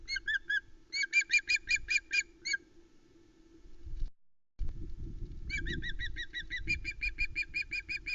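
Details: Juvenile Osprey, a female chick on a nest at Loch Arkaig, 1 September 2020, squawking over a huge whole trout brought by her father; bursts of short harsh repeated squawks, a pause, then a longer rapid series.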